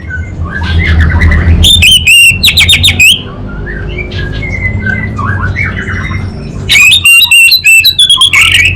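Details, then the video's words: Orange-headed thrush, a kept songbird in North Bali, delivering ngeplong-style song: loud clusters of rapid, chattering whistles, softer rising and falling warbled notes between them, then a long dense burst of high, scratchy phrases against a low hum. "ANIS BATA Berkicau Gacor Membuat Burung Cepat Tanggap dan Respon Kabel Konslet Lanjut Ngeplong"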